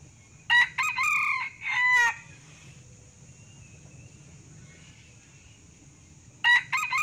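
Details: Male red junglefowl from Sumatra crowing, a call used to lure wild birds; one full four-part harsh crow ending near two seconds, several seconds of quiet hum, then the next crow beginning at the end.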